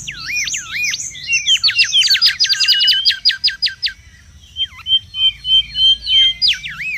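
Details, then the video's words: Mangrove whistler in the wild, singing noisily: curling whistles open into a fast, even string of repeated notes, a short pause, then a line of soft level whistles and renewed looping phrases. "SUARA PIKAT DAN MASTERAN BURUNG KANCILAN BAKAU RIBUT DI ALAM LIAR"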